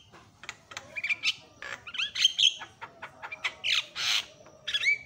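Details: Loud Javan myna calling used to stir other mynas: scratchy chatters and clicks build into bent whistled notes and a long harsh rasp, ending in a short whistle.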